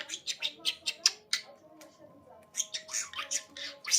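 A budgerigar chatters in rapid, scratchy squawks and bright chirps, with brief pauses between bursts.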